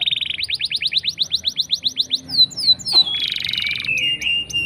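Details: Lure song from a vigorously singing canary, for prompting silent canaries to respond. A rapid series of rising chirps, then high descending sweeps and a long, buzzy, slightly wavering sustained phrase.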